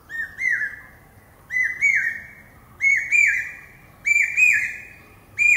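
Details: Common hawk-cuckoo, known as the brain fever bird, giving shrill whistled pi-peeah calls. Each phrase has two or three rising, slurred notes, and the phrases come in steady succession about every 1.3 seconds against a quiet background.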